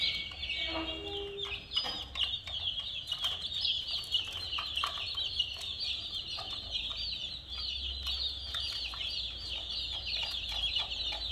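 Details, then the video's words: A brood of colorful chicks peeps nonstop beside a small toy car. Many high, falling chirps overlap throughout, and a brief lower tonal note sounds near the start, all over soft low background rumble. "Murgi Chicks Chirping Sounds"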